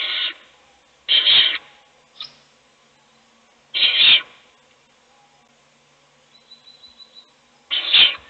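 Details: Owl feeding one chick in a nest box as the others sleep; four loud, harsh hissing bursts at uneven intervals, with a brief faint squeak and soft ticking sounds in between.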